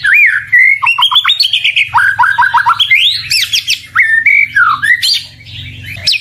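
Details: White-rumped shama (murai batu) singing to provoke rival birds into answering: a fast, varied run of loud whistled phrases, slurred rising and falling notes, quick trilled bursts and sharp high flourishes, with a faint low hum underneath.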